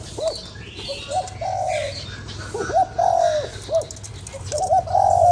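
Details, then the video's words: Spotted dove calling to excite a lure bird, giving phrases of quick upward-bent hoots followed by a long steady coo, repeated about four times, some phrases louder and closer. "Cu gáy kích bổi"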